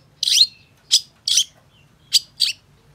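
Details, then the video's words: Singing long-tailed shrike, offered as a lure to make quiet shrikes sing: five separate harsh, rasping notes spaced irregularly over three seconds, with a low background hum. "Pancingan Cendet Gacor Cocok Buat Masteran Cendet Macet Agar BUNYI"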